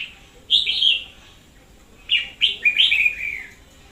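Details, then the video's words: Lure red-whiskered bulbul in energetic song, recorded in 2021: one loud, bright warbled phrase, a pause, then a quick cluster of three or four rippling notes that slide downward. "Chào Mào mồi chóe cực sung"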